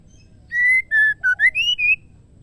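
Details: Female white-rumped shama calling a male: six loud, clear whistled notes in under two seconds, the first long and level, then lower, dipping, and two rising upward slurs.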